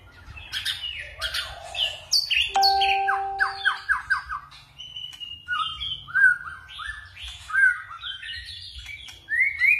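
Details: White-rumped shama, a tireless singer, in 'forest voice' song that switches voices; harsh chips give way to a rapid descending series of slurred notes and then varied rising whistles, with a steady pure tone briefly behind.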